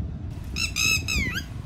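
Red-wattled Lapwing giving three shrill, strident notes in quick succession, the last slurring downward, its 'did he do it' call; low rumbling background noise.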